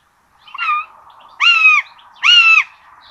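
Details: Common buzzards nesting in Tiszalök, Hungary, June 26, 2022, feeding their two chicks rabbit: three rich, slightly descending mewing cries under a second apart, the first softer, over a faint steady background hum.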